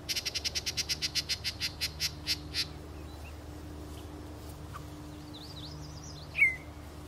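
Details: Yellow-breasted Chat at Beech Hill Preserve, Rockport, Maine, on 9 June 2013: a fast series of about fifteen dry notes that slow and fade over three seconds, then a brief warbled phrase and a sharp chip over a low hum.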